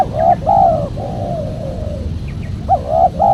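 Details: Spotted dove calls meant to lure wild doves. Two quick mellow coos lead into a long, faint, wavering coo, then a fresh pair of bright coos follows at the end, over low rumbling noise.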